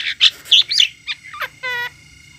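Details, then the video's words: Singing myna delivers rapid harsh squeaky chattering bursts, a few short slurred notes, then a steady buzzy nasal tone with rich harmonics lasting about a quarter second. "chim sáo hót"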